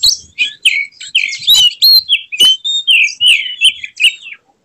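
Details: Kacer (Oriental magpie-robin) in an agitated display with its tail spread, calling out rivals: a dense run of sweet whistled notes, slurred rising and falling phrases and sharp chips, delivered almost without pause.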